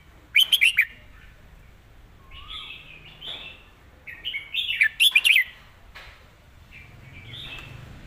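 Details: Red-whiskered bulbul giving its master song with clearly stressed words: two loud phrases of four quick, liquid whistles roughly four and a half seconds apart, with softer warbled notes in between.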